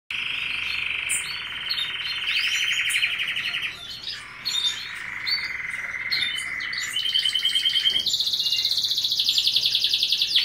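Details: A white male canary in breeding condition courts a receptive female, singing a long string of rapid rolling trills: a steady mid-pitched roll, then a lower one, then a bright high buzzing series, with no pause.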